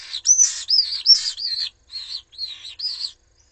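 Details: Nest of three common swift chicks at Jerez de la Frontera, set upon by an intruder while the adults were absent; a string of about seven shrill, wavering screeches in quick succession, each dipping and rising in pitch.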